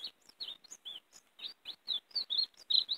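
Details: Greenfinch song for attracting and trapping European greenfinches, sung in a warbling manner: a steady string of short, slurred chirps, roughly two or three per second, growing louder toward the end.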